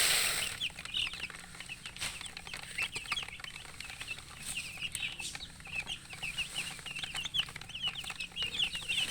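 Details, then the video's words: Colour chicks kept as poultry, peeping with thirst for water, many repeated sharp high chirps overlapping throughout, after a loud rushing noise at the start; faint clicks and low hum beneath. "Murgi chicks Chirping sounds with thirst for drink water"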